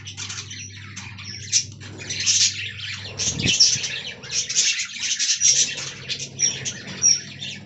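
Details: Aviary budgerigars in a colony, overlapping high chirps, squeaks and short whistled notes in steady chatter over a low mechanical hum, with a soft thump partway through.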